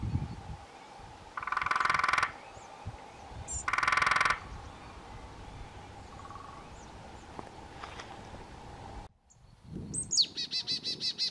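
A quick series of about eight high, shrill kee notes from a lesser spotted woodpecker closes the recording, after two loud bursts of frog croaking.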